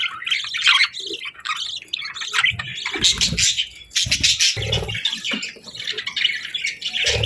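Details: Continuous budgerigar morning chorus of chattering chirps and squawks, punctuated by several low flapping or knocking sounds.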